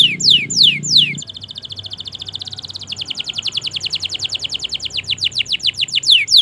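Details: Long canary song meant to get silent canaries singing: a few loud downward-sweeping whistles, then a fast even trill of short high notes that slowly turns into repeated falling sweeps.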